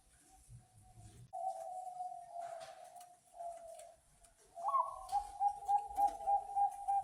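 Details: Bangkok zebra dove, a kept bird prized for its loud voice, singing to draw song from other doves: steady humming coo, breaks, then a higher lift followed by a quick rhythmic run of bubbling coo pulses.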